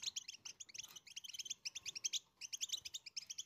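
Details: Goldfinch song meant to teach chicks to sing: continuous quiet chatter of high tinkling chirps in quick clusters, with light background hiss.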